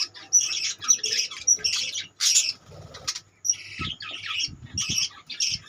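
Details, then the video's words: Budgerigars kept as a colony give loud, harsh squawking bursts mixed with shrill chirps, in short clusters with brief quiet gaps and a few low thumps in between. "budgeis birds colony"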